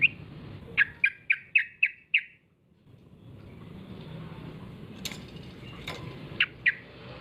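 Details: Yellow-vented bulbul lure call intended to make other bulbuls respond: six sharp, evenly spaced chirps in quick succession, then a quiet gap with faint hiss, a few clicks, and two more sharp chirps near the end.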